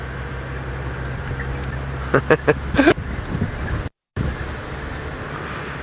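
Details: A vehicle idles with a low rumble, broken by a few sharp knocks and short voice-like bursts and a brief silent gap.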